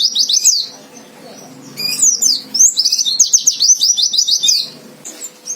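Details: Rival-provoking fighter song of a white-eye: high chirps, a short pause, then lively twittering leading into a fast, even series of sharp high notes before it fades.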